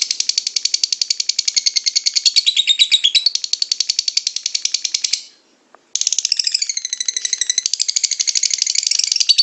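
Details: Lovebird in extended ngekek chattering, intended to set off other lovebirds: a dense burst of high, rattling chirps, then a half-second pause, then the fast chatter resumes.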